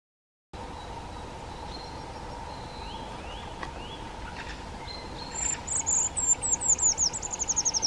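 A Grey-headed woodpecker gives a quick run of about a dozen high, clear notes that slide downward. Faint whistles from other birds and a steady hum sit underneath.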